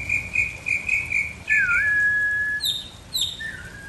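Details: Mockingbird singing melodies and whistling: a quick series of bright, trilled notes repeated about four times a second, then a long level whistle with a dip near its start, followed by short high descending notes.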